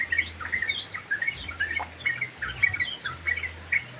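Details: Sooty-headed bulbul in an aviary, chirping busily with short, bright, repeated notes in irregular bursts over a steady low hum.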